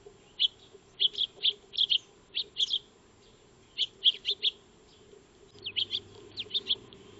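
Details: Feeding Eurasian tree sparrows, called Maya birds, in a backyard on 2 March 2025, solar wildlife camera recording: sharp, evenly spaced chirps in runs of three to five, repeated steadily over faint background hum.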